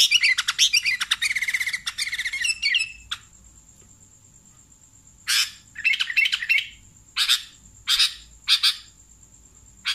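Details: Sooty-headed bulbul call used to lure bulbuls: opens with two seconds of rapid scratchy chattering, then a pause, then a series of loud harsh rasping chirps roughly every second against a faint steady high tone.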